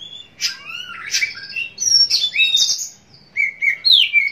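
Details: Caged Oriental magpie-robin song played to provoke singing before a contest: loud rising and falling whistled slurs, several quick phrases ending in a bright upward sweep.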